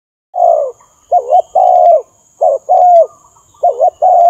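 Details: Lure recording of a spotted dove: quick succession of soft, low coos in pairs, a wobbling note then a sustained falling one, about five times, over a faint steady high-pitched tone.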